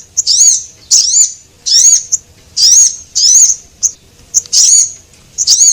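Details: Javan munias, male and female, on a lure recording for small birds. Thin, shrill, bending chirps repeat about every 0.7 seconds, with a few short ticks among them.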